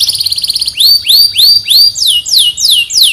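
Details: Canary song from Pemalang, Central Java, Indonesia: a fast buzzy trill, then a run of loud upward-sweeping whistles repeated about three times a second, each curving down at the end.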